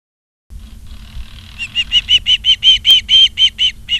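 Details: Osprey on a live nature cam at Charlo, Montana, on 28 August 2023, 16:08: after a faint start, a run of about a dozen sharp whistled notes, evenly repeated and growing louder, over quiet low rumble.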